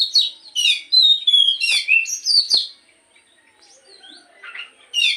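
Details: Kacer (Oriental magpie-robin) lure song for the morning: quick, varied whistles and slurred notes for about three seconds, then faint distant twitters and a final loud phrase.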